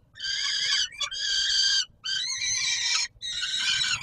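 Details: Peregrine falcon at feeding time, Palace of Culture and Science, Warsaw, July 2022. Four long, harsh, harmonic screeches, each close to a second, follow one another with short gaps.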